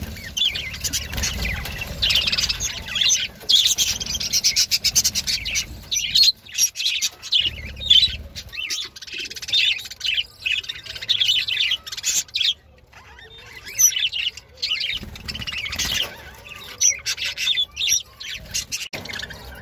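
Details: A crowd of budgerigars kept for breeding and sale in Delhi chatters nonstop in high, scratchy warbles and chirps.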